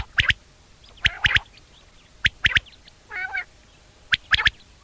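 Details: Mating call of a wild common quail at sunset in a summer meadow: crisp, clipped triple notes repeated four times at roughly one-second intervals, with one brief nasal call from another bird between phrases.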